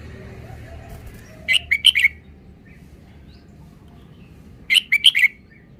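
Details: Red-whiskered bulbul song: two short bursts of four quick, bright warbled notes, about three seconds apart, with quiet background hiss between phrases.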